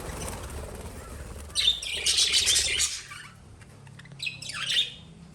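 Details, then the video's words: Lovebird chirping in two bursts: a loud, busy cluster of sharp high chirps lasting over a second, a pause, then a shorter burst of descending squeaky notes. "Love Birds Sound Relaxation"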